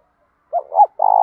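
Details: Spotted dove in 'thúc dút' style, used to provoke other doves: two short hoots, the second rising, followed by the start of a long, buzzy, level coo that is cut off.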